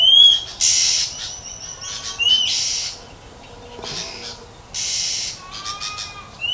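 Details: A wild female Oriental magpie-robin in nature, calling to provoke males, gives short, high whistled notes with three loud, harsh rasping bursts, roughly every two seconds. No other sounds stand out.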